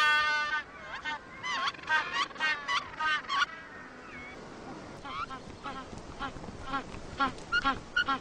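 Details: Incubating male penguins calling: a loud rapid train of harmonic, trumpeting pulses over the first three and a half seconds, then fainter scattered calls from the colony in the background.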